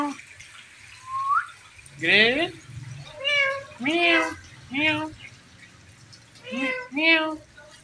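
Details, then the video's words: Pet Indian ringneck parakeet making drawn-out meow-like cries, about six wavering, nasal calls spaced roughly a second apart, each bending up and then down, over a quiet indoor background. "Funny Indian Ringneck Parrot Talking Compilation"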